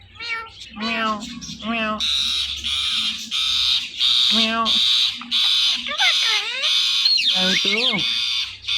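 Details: Pet Indian ringneck parakeets, a male and female couple, making morning sounds: a few bent, speech-like nasal notes, then loud harsh screeching squawks in long bursts with brief gaps, plus sharp wavering whistles near the end.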